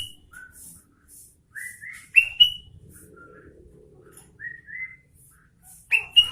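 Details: Sooty-headed bulbul singing energetically: short clear whistles, several rising and some paired, scattered through the phrase with sharper higher notes, quiet room noise between them.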